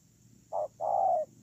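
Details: Spotted dove used as a ground decoy bird, recorded 8 October 2018: a short low hooting note followed by a longer, steady mellow coo, a single phrase against a quiet background.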